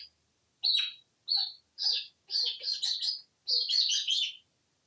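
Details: Talkative African grey parrot living in a home in Texas, hatched June 15, 1997, gives five high, chirpy, squawking bursts of about half a second each in quick succession, with human speech before and after.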